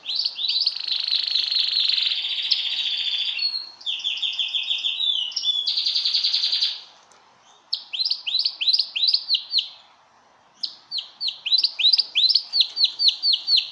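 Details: Canary singing for mating: long buzzy rolling trills, then rapid runs of downslurred whistled notes, a short silence, and more quick repeated whistles, loud and clear.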